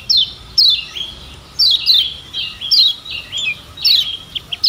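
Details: Lemon-bellied white-eye (kecial kuning) from Lombok, a tutor recording for training birds to sing: short, high, down-slurred squeaky notes repeated roughly every half second to second, with brief trailing chirps, in an otherwise quiet setting.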